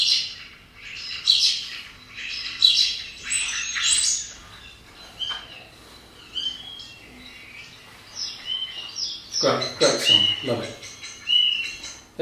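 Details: Common starling (Sturnus vulgaris), a great mimic, gives a mimetic song: a rambling jumble of high chirps, clicks, squeaks and pure whistled notes in quick, irregular bursts, with faint voices in the background.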